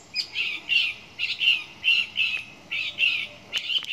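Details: Song thrush repeating one short phrase again and again, about eight similar clear chirping notes at an even pace over four seconds.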